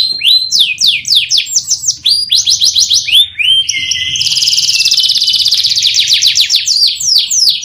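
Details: Canary song offered as a training lure: quick series of downward-sweeping whistled notes, about three per second, leading into a long, dense, rattling buzzy trill that lasts several seconds.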